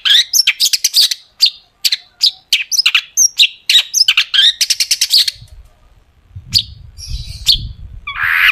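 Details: Long-tailed shrike singing as a lure for shrikes: dense run of sharp, scratchy notes and whistles for five seconds, then low rumbling background noise with a few more harsh calls.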